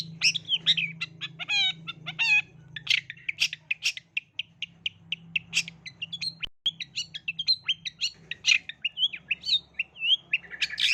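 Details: Long-tailed shrike song used as a lure to set off singing in young shrikes: a rapid jumble of harsh chattering notes, whistled slurs and mimicked phrases packed closely together, with a steady low hum underneath.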